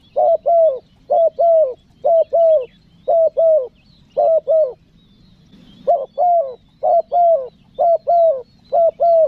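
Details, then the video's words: Spotted dove coo used to call wild doves to the trapper. Hollow, low double coos repeat steadily, a short note and then a longer one, with one brief gap midway and soft high chirps in the background. "SUARA TEKUKUR PESOM MANGGIL, NEKAN NGUKU"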